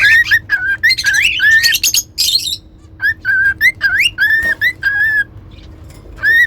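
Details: Singing cockatiels deliver a lively whistled tune of steady and rising notes, with harsher chirps mixed in early on, over a constant low hum.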